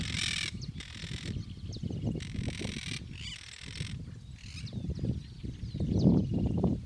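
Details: Chimachima, the yellow-headed caracara, recorded in Gualeguaychú, Entre Ríos, Argentina: a series of four rasping, noisy screams in the first four seconds, each under a second, then fading, with steady low wind-like rumble throughout.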